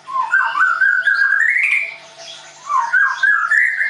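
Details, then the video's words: Leuser white-rumped shama at an Indonesian bird school in Tangerang, singing loud, fluid whistled runs that rise and fall smoothly, pausing briefly before another rich slurred phrase. "MURAI BATU LEUSER"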